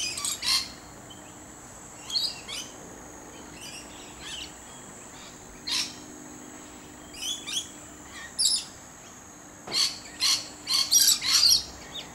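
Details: Lorikeet calling wild from a tree: sharp, shrill chattering bursts in loose clusters of two or three, about two per second at their busiest, with a steady high background hum.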